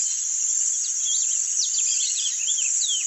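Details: Rusty-collared seedeater singing the "grego" song type: a run of quick, sweeping whistled notes rising and falling in pitch, partly slurred, over a loud, steady high-pitched insect buzz.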